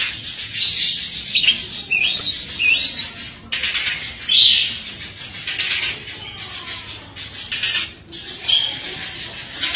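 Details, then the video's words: Oriental magpie-robin, kacer, in the continuous burst singing known as tembakan beruntun with many isian fill phrases: high scratchy bursts and darting whistles run on with little pause. "full tembakan beruntun masteran burung Kacer full isian"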